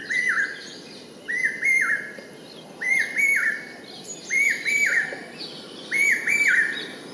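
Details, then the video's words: Brain fever bird, the common hawk-cuckoo of the Indian subcontinent, giving loud, piercing whistled phrases of two to three rising-then-falling notes, repeated steadily about every one and a half seconds, with sharp high chirps from other birds between phrases. "Call of Common hawk cuckoo|Common Hawk-Cuckoo calling-Cuckoo calling"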